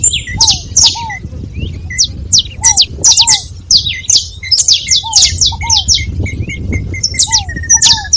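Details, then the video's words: A flock of saffron finches calls together with high, sharp chirps in scattered clusters. Lower arched notes and a short steady mid-pitched trill sound near the end. "Canário da terra junto fazendo barulho"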